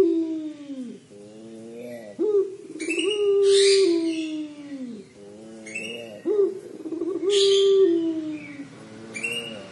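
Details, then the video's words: Collared dove (puter pelung) giving its crying-style call: long, low, hoarse coos that slide gently downward, repeated several times with harsh noisy bursts between them. "Suara Burung Puter Pelung Menangis"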